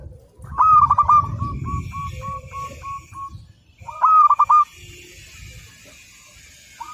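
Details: Local perkutut, the zebra dove, singing as a master recording: a loud cooing phrase trailing into a row of evenly spaced short coos, then a second stuttered phrase, over a low background rumble and faint hiss.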